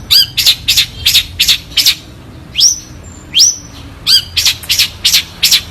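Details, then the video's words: Long-tailed shrike (cendet) song for tutoring caged songbirds: clusters of loud, high, harsh chirps repeated over a second or so, interrupted by two upward-sweeping whistles, then more rapid chirps, over faint low rumble. "Masteran Jitu Burung Cendet Suara Jernih"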